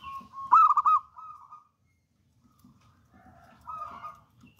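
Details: Wild local zebra dove delivering one loud rolling, bubbly phrase that trails into an even trill, followed after a silence by a fainter coo.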